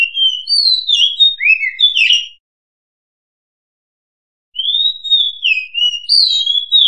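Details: Oriental magpie-robin song played as a lure for trapping: a tumbling phrase of varied, warbled whistles with sliding notes, then complete silence for about two seconds, then another long whistled, warbling phrase.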